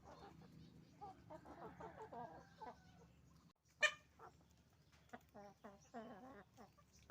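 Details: Many roosters and hens at a chicken farm clucking in quick overlapping series, with one sudden loud squawk near the middle and rhythmic cackling runs afterward.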